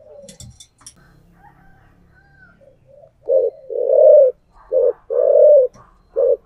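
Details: Spotted dove used as a decoy, singing in the 'giọng thổ' style: after soft murmurs and a click, a rhythmic series of five deep, buzzy coos alternates short and long notes.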